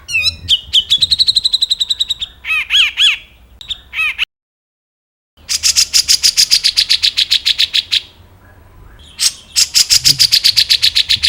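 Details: Grey-cheeked bulbul song used as a tutor recording for other songbirds: slurred rising whistles and wavering notes, then long rapid trills of sharp high chips, a short pause, and another fast trill.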